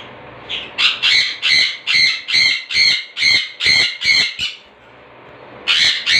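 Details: Blue and green cheek conures kept indoors as pets let out a rapid run of about ten harsh, rasping squawks, roughly two per second, then pause briefly before another burst of squawking begins.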